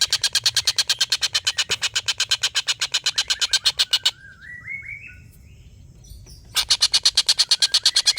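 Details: A collared kingfisher's long laughing call serves as a tutor for contest songbirds. Rapid grating notes repeat for about four seconds, then rising slurred whistles from another bird, then the harsh pulsed series starts again.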